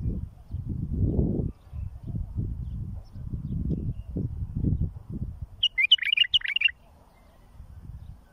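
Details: Bulbul song for training fledglings. After several seconds of deep rumbling noise, a single quick, warbling phrase of liquid descending notes sounds for about one second.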